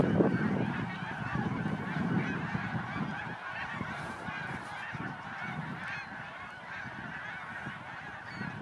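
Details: Snow geese, a large flock at a marsh beside a bike path in Montmagny, 17 April 2012: dense, continuous overlapping nasal honks and yelps forming a steady clamor, with low rumbling background noise throughout.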